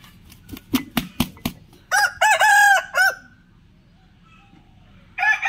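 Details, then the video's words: A Black Buff Orpington rooster crows a harmonic, drawn-out cock-a-doodle-doo with a sustained middle note after several sharp clicks, and a second crow starts at the end. "Black Buff OrpingtonCrowing | Buff Orpington | Rooster Crowing"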